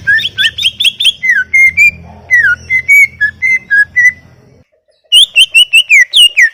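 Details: Greater green leafbird singing continuously: loud, clear whistled phrases that swoop up and down, delivered in quick series, with a brief pause before a fresh burst of rapid, ringing notes.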